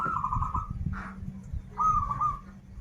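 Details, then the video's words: Zebra dove of a local Banten line, a kept song bird, giving two short trilled cooing phrases separated by a brief muffled sound, over low background hum. "Perkutut lokal gacoran suara krital, warung kebek, dan suara aneh"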